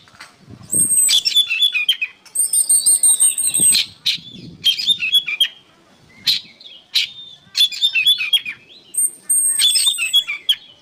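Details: Oriental magpie-robin in energetic song for training songbirds: repeated bursts of thin high sustained notes layered over chattering whistles, each burst about one to two seconds long with short gaps, light low noise.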